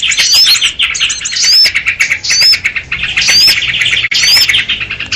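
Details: Sooty-headed bulbul lure call for trapping birds: slower phrases of scratchy chatter, each crowned by a clear, ringing rising whistle, about every second and a half.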